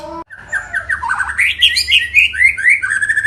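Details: Singing white-rumped shama, a fast varied stream of bright whistled and chattering notes climbing higher, about two per second, with a brief lower call at the start and faint low background hum.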